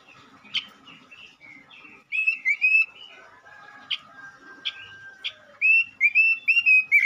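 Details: Male robin singing vigorously, used as a lure to stimulate other robins: bright whistled warbling phrases with sharp chirps near one second and around four to five seconds, then a fast run of rising whistles at the end.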